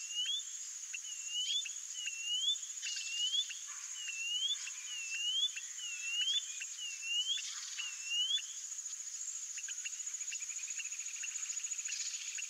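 A white-bellied seedeater sings a series of clear, downslurred-then-rising whistled notes, repeated steadily.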